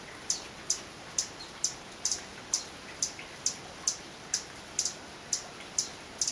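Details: On a rainy day in Guatemalan cloud forest, a male Violet Sabrewing sings thin, piercing high chips, around fourteen evenly spaced notes over six seconds, with faint rain patter beneath.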